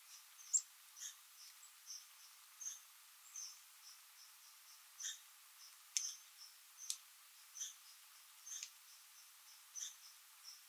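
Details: Two Tufted Titmice, probably a pair, visiting feeders in winter in the Adirondacks, Essex County, NY, February 2023; scattered high, thin chip notes, some sharper and louder, repeated irregularly through the clip against a soft hiss.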